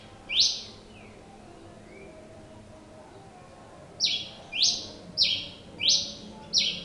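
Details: Pileated finch in steady song: one bright, harsh chip, a long silent gap of over three seconds, then a run of five evenly spaced, downslurred metallic notes about half a second apart over quiet background noise.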